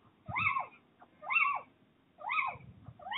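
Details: Little owls mating on a roof ridge, recorded 29 January 2023: a rapid series of arched, mewing notes with rich overtones, about one per second, over soft low rumble.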